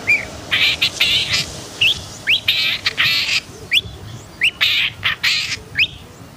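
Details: Agitated long-tailed shrike alternating loud harsh rasping bursts with thin upward-slurred whistles, spaced irregularly about every half second. The background is fairly quiet.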